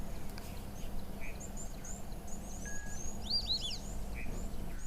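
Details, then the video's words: A played recording of a white-faced whistling duck call, a species often heard in large flying groups on the Zambezi River: a quick run of three thin, clear whistles, rising then falling, over a steady low rumble and faint chirps from other birds. "That is a call of a white-faced whistling duck."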